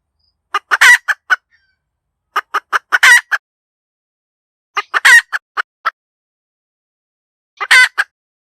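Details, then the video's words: Cackling hen giving short sharp clucks that climb into a drawn-out raspy squawk, each bout about every two to three seconds, four bouts in all with clean silence between. "เสียงไก่แม่กะต๋าก เสียงชัดสำลับต่อ suab poj qaib tsauj zoo cuab 100%"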